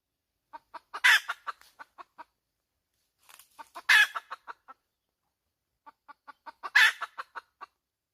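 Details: Three bouts of hen cackling about three seconds apart, each a few quickening clucks climbing into a loud grating squawk, then a short tail of clucks, with silence between bouts.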